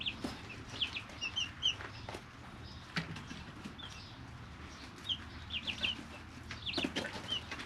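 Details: Chicks aged three weeks in a brooder; sparse high peeps in short groups between quieter stretches, with sharp clicking taps and rustling more prominent than the calls.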